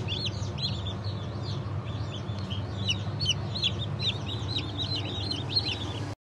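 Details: Chicks just out of the egg, Cream Legbar, Sultan and Maran Couper breeds, hatched 15.03.2024. They give quick, shrill, downward-slurred peeps in a busy continuous chatter over a low mechanical hum.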